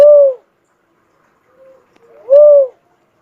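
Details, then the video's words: Cuckoo-dove coo ending at the start, then a faint soft lead-in and another full, low, arched hooting note about two seconds later; quiet background. "suara burung uncal asli"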